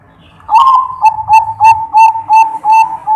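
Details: Song of a real zebra dove, known locally as perkutut and of the Bangkok type, used to make other birds answer: a strong opening coo then about eight rhythmic, evenly spaced whistled coos, with low rumbling background noise.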